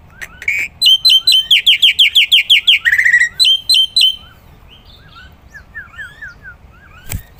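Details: Black-winged myna singing vigorously as a training recording for other songbirds: a rapid series of ringing, harmonic notes repeated about three times a second, then softer, rising chirps trailing off.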